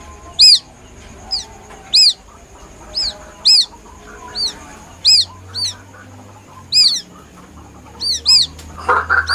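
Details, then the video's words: White-breasted waterhen chick giving a plaintive call used as a hunting lure: high, thin, arched peeps, sometimes paired, about a dozen over nine seconds, over a steady faint high tone and low background murmur. "Suara anak burung ruak ruak asli nelangsa"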